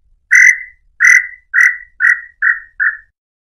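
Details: Song of a tataupa tinamou, known locally as nambu pé roxo, used to attract male and female: six whistled notes that come faster and grow shorter and softer, ending the descending series.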